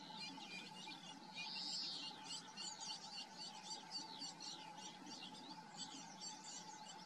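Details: Eurasian tree sparrow nestlings begging while fed at the nest, a quick run of thin, high chirps and squeaky notes, with one brief louder squeal early on, all against a constant faint hum.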